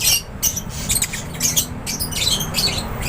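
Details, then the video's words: Lovebirds in an aviary, a flock giving shrill, high chirps and squawks in quick overlapping bursts, with a steady low hum underneath. "LOVEBIRDS CHIRPING SOUNDS"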